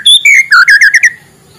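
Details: White-rumped shama in the morning, sung to encourage quiet shamas: a short high whistle, then a string of six quick descending-then-rising whistled notes trailing off into silence.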